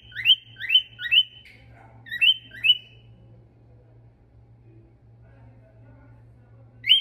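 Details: A male Eurasian stone-curlew sings and whistles: a quick run of five loud, high whistles with a rising slur, then a pause and one more, over a low steady hum.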